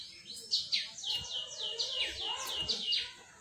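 Atlantic canary singing a bright, rapid run of high, down-slurred whistled notes over a thin, sustained ringing tone, with faint background noise.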